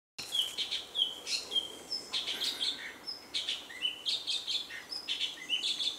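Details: A male orange-bellied leafbird (Chloropsis hardwickii) at Doi Inthanon, Thailand, in high-altitude forest, sings between bites of fruit, largely mimicking other species: a quick, varied run of high clear whistles and sharp chirps, with level whistles mixed in.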